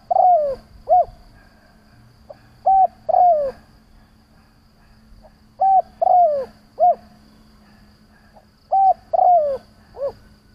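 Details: Decoy spotted dove repeating its provoking lure call three times over ten seconds, each phrase a short coo, a longer coo sliding down, and a rounded closing note, with a low steady hum underneath.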